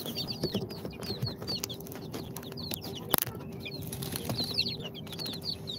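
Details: Newly hatched incubator chicks on day two, a mix of Sultan, Golden Sebright, Cochin and booted breeds, give many short high downslurred peeps in overlapping bursts, with scattered tapping, rustling and one sharp knock.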